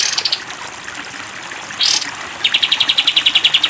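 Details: Sooty-headed bulbul in a masteran 'tembak panjang' recording with water sounds: a faint high pulsed phrase, a loud rising whistle, then a rapid, evenly spaced high trill to the end.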